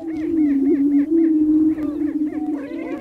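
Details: Greater prairie chickens, males gathered in spring on a lek on North American prairie, giving mating display calls: a steady, low, humming boom held throughout, overlapped by quick arching whoops and cackling notes from several birds.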